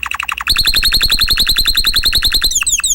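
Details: A canary kept in a cage sings a fast trill of sharp, evenly spaced notes, about eight a second. The trill jumps to a higher pitch partway through, then ends in a few sweeping, descending whistles.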